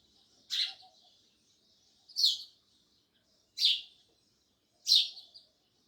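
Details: Loud sparrow chirping, four sharp, high chirps at fairly even intervals of about one and a half seconds, with faint twitters behind.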